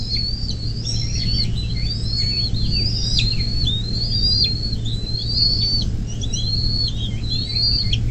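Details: Along the Little Miami River in Ohio, USA, a nest camera picks up a Bald eagle on 24 May 2024 at 10:12: evenly paced high whistled notes, roughly one per second, each sliding up then dropping sharply, over a low hum.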